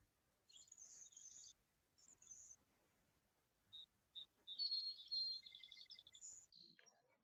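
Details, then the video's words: Anna's hummingbird singing its real soft buzzy song in the field: soft, scratchy, high buzzy phrases with a thin squeaky whistle and a quick run of ticks, song sparrows singing in the background. "as I actually hear the Anna's hummingbirds singing now it's just kind of a real"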